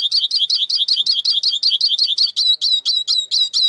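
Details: Rapid, steady twittering of a Eurasian siskin, high notes strung together about five per second, shifting toward sharper whistled notes near the end.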